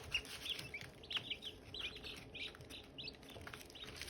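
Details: Silkie chicks with hatching eggs peep continuously, with clear high notes overlapping as several birds call together and small taps and rustles underneath.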